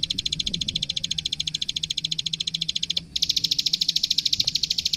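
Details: Plain prinia, locally klik klik, sings a master song meant to train young birds: a rapid train of sharp, high ticking notes, briefly broken near the middle, then resuming slightly higher and louder.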